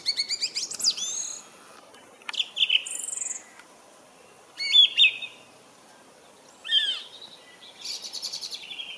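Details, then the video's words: Song thrush in song, loud and clear: distinct high phrases separated by short silences, mixing rapid stuttering notes, clear whistled slurs and buzzy trills, each phrase different from the last. "Cool song thrush singing!!!"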